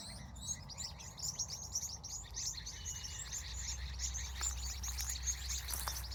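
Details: In the California evening at sunset, high rapid chirps from a crowd of birds ring over a growing low-pitched drone, with a few sharp clicks late on.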